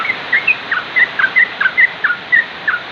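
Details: Sooty-headed bulbul (trucuk) giving short whistled notes, each a quick dropping or rising slur, repeated roughly every quarter second through the clip; faint background hiss.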